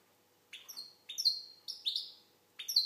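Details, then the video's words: Algerian European goldfinch singing: short separated bursts of bright twittering notes with sliding tonal elements, high-pitched, with pauses between phrases; faint steady low hum beneath. "Chardonneret algérienحسون. مقنين"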